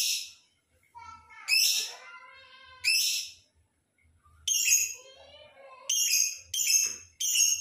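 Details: Lovebird in full, lively song used to provoke rivals and stir breeding mood: a rapid run of harsh, high chirps, several close together near the end, mixed with warbling, rising and falling tones.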